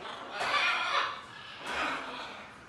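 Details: Great green macaw chicks, a recently fledged sibling pair from the Punta Islita refuge and breeding center, calling outside their nest box in an aviary. Two loud, grating, rasping squawks about a second apart.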